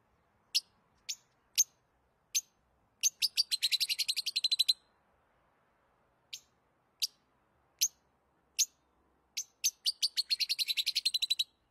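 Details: Lovebird giving sharp, high-pitched chirps, a few single notes followed by a rapid run of clipped chirps; after a pause, more spaced single chirps build again into a fast chattering series. Quiet background.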